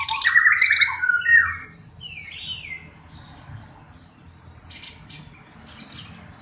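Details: Black-browed reed warbler, a tutor songbird, opening with loud harsh chattering and a slurred whistle, then trailing off into sparse, quiet, high-pitched chips and squeaks.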